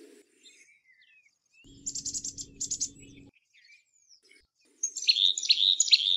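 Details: Black-capped chickadee with rapid buzzy pulsed notes over a low hum, then a loud string of harsh, raspy repeated notes about two per second.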